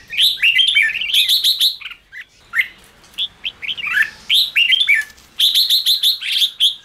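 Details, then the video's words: Red-whiskered bulbul in heated chattering display, used to rouse newly caught caged bulbuls; loud volleys of ringing, buzzy notes with rapid sharp ticks, a lull near the middle before another vigorous burst. "chào mào ché kích bổi căng lửa"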